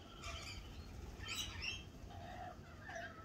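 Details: Lorikeets at a cafe in spring: a few harsh, scratchy squawks with rising and falling screechy notes, the loudest burst near the middle, over a steady low hum and softer chirps.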